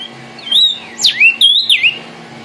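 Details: Vermilion cardinal (cardenal guajiro rojo) singing: a brief phrase of clear whistled notes, a level whistle, then sharply slurred down-and-up sweeps, ending on a falling whistle, over a faint steady low hum.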